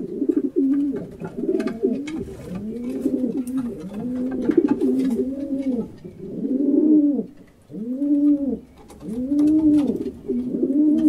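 Several pigeons coo in soft, low, throaty rolling phrases that rise and fall, overlapping almost continuously, with a faint room echo.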